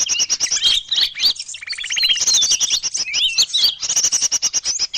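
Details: Lure recording for small birds: fast, busy high-pitched chirping and clicking notes, interrupted by a short buzzy rattle, then continuing twittering to the end.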